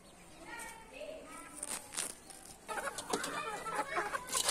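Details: Red junglefowl (wild chicken) giving short, nasal, harmonic clucks and rising notes, then a busier, louder stretch of calls mixed with what sounds like human voices.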